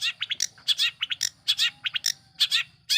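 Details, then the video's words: Lure song of a long-tailed shrike, used to provoke other shrikes: rapid harsh, buzzy notes in paired bursts with brief gaps, over a steady low mechanical hum. "Awas...!! bikin ngamuk burung MERTUA...! || Pancingan Cendet Gacor"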